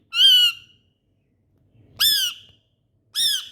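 A parrot gives three harsh, rasping squawks, each about half a second long and rising then falling slightly, spaced one to two seconds apart in a quiet room.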